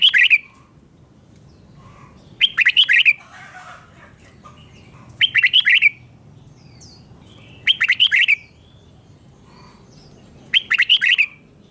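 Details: Red-whiskered bulbul song played for young birds to learn: short bright warbled phrases of several rapid notes, repeated roughly every two and a half seconds, with quiet pauses between.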